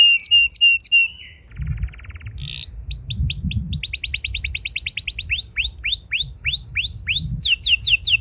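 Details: A vigorously singing canary, used as a lure to set other canaries singing long rolls, gives a fast, varied run of high chirps, buzzy trills and rapidly repeated rising upslurred notes, with a faint low hum behind.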